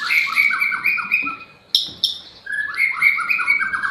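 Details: White-rumped shama singing in lovebird imitation: loud, harsh, buzzy chattering notes in a fast, even series, a brief pause broken by two sharp clicks, then the rapid chatter resumes.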